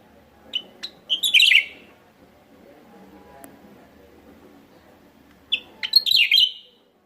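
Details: Javan myna used as a lure in West Java: two brief pips and a rough, buzzy chatter, repeated once after about four seconds of soft background murmur.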